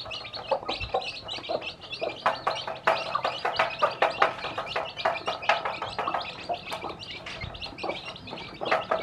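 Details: Domestic hen with many newly hatched chicks, teaching them to eat; dense, rapid high peeps and sharp chirps pour out almost continuously, overlapping one another, with soft lower clucking notes beneath.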